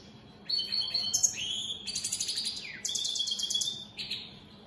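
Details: Caged European goldfinch of the opal split satiné mutation giving a flowing song of high tinkling twitters, buzzy trills and a quick downward slurred whistle, steady and continuous.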